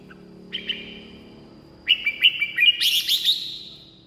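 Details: Song of a red-whiskered bulbul, used as decoy playback or to stir up caged birds. A brief whistle is followed by a rapid run of bubbly, warbled notes ending in a bright, echoing flourish.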